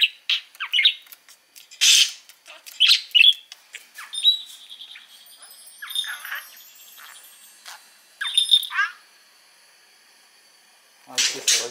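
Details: Pet male budgerigar, four years old, living in Mie Prefecture and copying its owners' Kansai-dialect talk: a high, warbling stream of chirps, squeaky slurred notes and brief whistled tones, with some louder scratchy bursts and a noisy burst at the end.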